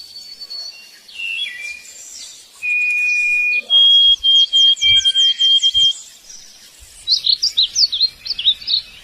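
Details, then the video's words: Cardinal song: assorted high whistles lead into a long level whistle, then rapid pulsed repeats of a clear note, and finally a burst of quick sharp sweeping notes. "Suara Burung Kardinal"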